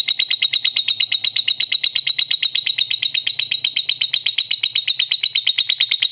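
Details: Lovebird giving its ngekek song, a long unbroken chatter of sharp, high notes repeated rapidly and evenly, about six per second, running through the whole stretch without a pause.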